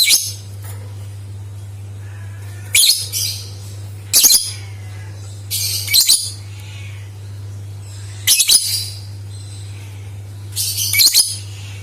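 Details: Lovebird sound used to lure other lovebirds into singing: short bursts of harsh, high, shrill chirping every one to two seconds over a steady low electrical hum.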